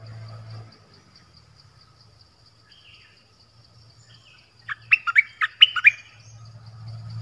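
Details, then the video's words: Nok dok taeng song for young birds to copy, also used to draw wild birds. A low hum comes first, then one fast phrase of about six sharp whistled notes. "เสียงนกดอกแตงEp.5 Birds sounds เพลงเบิ้ล"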